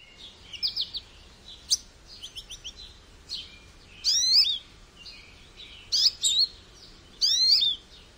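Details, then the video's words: Goldfinch singing: scattered bursts of high twittering notes and quick tinkling trills, with several louder buzzy, liquid phrases near the end, separated by short pauses over a quiet background. "Goldfinch Bird Sounds"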